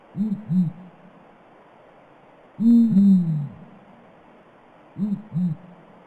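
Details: Deep hooting of Blakiston's fish owl: a pair of short, arched hoots, a longer, double-humped hoot in the middle, then another short pair, all low-pitched and resonant.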